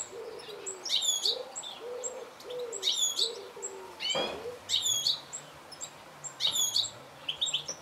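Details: Goldfinch uttering clusters of sharp, high chirps about every second, with a low dove coo in the first half and a single loud click midway.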